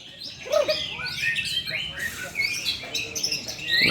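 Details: White-rumped shama, a songbird-hobby bird set against another: rapid varied song of whistled notes, rising and falling sweeps and short trills, mostly high-pitched, with brief quiet Indonesian speech before and after.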